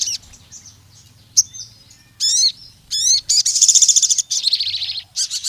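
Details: Sogon (crimson sunbird) in full song, used to provoke rivals and lure other sogon into singing. Scattered thin chips give way to quick upslurred notes, then long, very high, rapidly pulsing trills. A low hum runs underneath.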